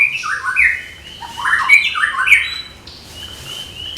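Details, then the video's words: Morning song of an orange-headed thrush meant to get young birds singing; harsh, squawky slurred notes run together in a scratchy sequence, fading into a thin sustained whistle and a sudden sharp click at the end. "ANIS KEMBANG GEMERCIK SUARA DIPAGI HARI, MENAMBAH SEMANGAT ANIS MUDA BUKA PARUH"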